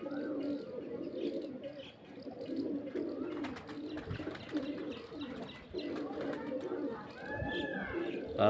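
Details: A flock of pigeons in Pakistan, nearly all of them males, cooing in low, overlapping, rolling phrases that pulse on and off every second or so, with faint thin chirps above.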